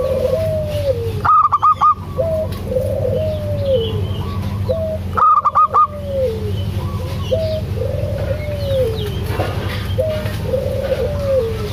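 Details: Local zebra dove singing actively, used as a lure to make a quiet dove call: two loud bursts of rapid stuttering notes stand over lower, repeated arching coo-like phrases, with a steady low hum throughout.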